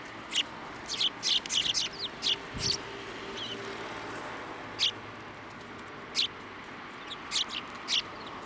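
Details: Sparrows at a Tenmangu shrine in December 2023, flying to a hand to be fed; a quick cluster of high chirps early on, then single chirps spaced a second or more apart, a brief low thump in between.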